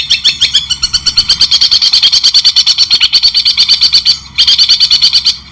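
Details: White-rumped shama training recording, cendet (long-tailed shrike) named: a loud, fast, continuous rattle of harsh buzzy notes, briefly broken by a pause, then resuming.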